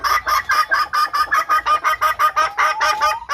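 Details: A red junglefowl hen call, used as a lure to attract wild males, gives a fast, steady run of nasal, clucking notes, about five a second, all at a similar mid pitch, with no other sounds.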